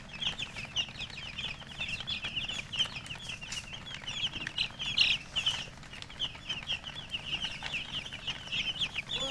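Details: Many chicken chicks chirping together: rapid, high-pitched peeps, some with slight downward slurs, packed tightly throughout over a faint low rumble.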